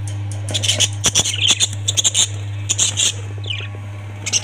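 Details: Kept budgies make clicking taps and short high chirps, with a small descending twitter near the end, against a steady low hum.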